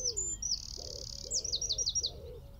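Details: Eurasian wren singing from a tree at Wicken Fen, recorded at about 15 m with a phone, telescope and shotgun mic. A loud, high sustained trill is followed by rapid repeated notes, with low pigeon-like cooing underneath.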